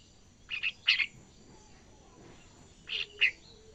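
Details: Young yellow-vented bulbul practising ngacor gives soft paired chirps, then a second quieter pair of bubbly notes after two seconds, over light background hiss.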